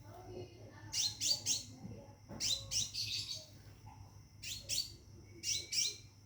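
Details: Caged Scarlet minivet calling a female to mate: four bursts of quick, high, thin notes, each burst two or three rapid notes, over a steady faint high whine and low hum.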